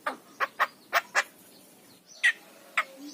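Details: ['Javan myna used as a singing lure for quiet mynas: a handful of harsh, nasal squawking notes, five in quick succession then two more after a pause, against a faint hiss.']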